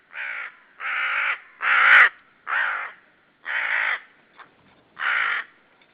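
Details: Loud, harsh croaking from an unseen common raven by a white-tailed sea eagle nest in Saunja, Estonia, 18 March 2013; six raspy caws come roughly every second, with one faint click between.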